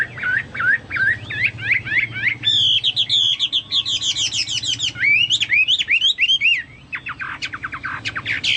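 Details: Chinese hwamei in full song (gacor), compared to cucak Papua or cucak mas; rich, varied whistling with rapid repeated notes, bright rising slurs and trills, continuing almost without pause.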